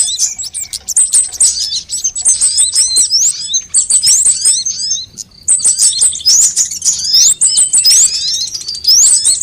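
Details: Sunbird calls meant as a bird lure and master recording to prompt singing: bursts of high, sharp chirps and fast metallic trills, separated by brief quieter gaps around the fourth and eighth seconds.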